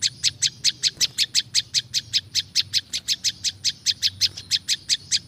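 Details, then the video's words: Olive-backed Tailorbird in a recording for luring wild birds, pouring out a long, steady sequence of loud, piercing chips at a quick even pace, more than twenty in a row. "SUARA BURUNG PRINJAK LUMUT ||SUARA PRINJAK LUMUT SUARA ASLI ALAM"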